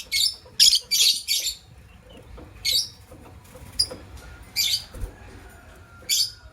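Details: Morning chirping from a matched couple of white lovebirds, with loud rasping high-pitched chirps packed closely at first, then single bursts spaced roughly a second apart against a quiet background.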